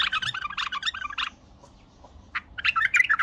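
A bulbul's bubbling, warbled phrases of quick chirpy notes, one burst of just over a second, a short pause, then another rich burst.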